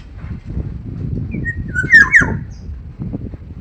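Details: Black-naped oriole, called kepodang jawa, in Indonesia: one short, clear, fluty whistled phrase with a rising then wavering middle, heard over a low rumbling background.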